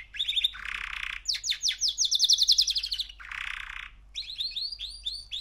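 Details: Young male canary, three months old, singing: a brief trill, a harsh buzzy rattle, then a fast run of rising rolled notes, another buzzy rattle and a string of high upslurred notes.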